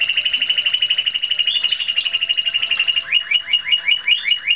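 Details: Timbrado Espanhol canary during training, recorded 2016, delivering a long continuous rolling trill of high metallic notes that shifts into faster rising chirped pulses toward the end.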